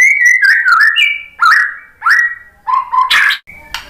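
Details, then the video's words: White-rumped shama song used to provoke other birds into singing: varied clear whistled phrases around mid pitch, slurred rising and falling notes separated by short pauses, ending with a harsher burst. "KICAUAN MURAI BATU bikin NYAUT"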